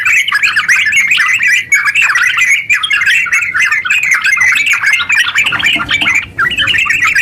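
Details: Eager, long, rapid yellow-vented bulbul song used to lure other bulbuls into song. Dense warbled chatter with rising and falling flicks runs on, pausing briefly near six seconds.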